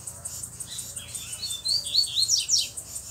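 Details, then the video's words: Loose black double-collared seedeater with a bluish-white bill delivering a short, strong phrase of sharp high whistled and slurred notes that grows louder toward the end, with soft ticking in the background. "Coleiro Preto do Bico Branco Azulado Solto Batendo Firme!!!"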